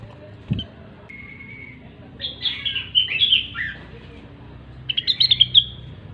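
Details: Lively gacor song of the grey-cheeked bulbul (rengganis or cucak wilis): a held thin whistle, a varied warbling phrase, then a quick series of bright staccato chirps at the end.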